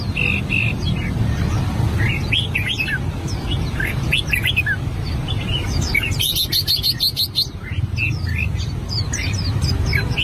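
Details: Albino red-whiskered bulbul in song practice: scattered bright whistled notes and chirps, interrupted midway by a brief harsh noise burst, over steady low background hum.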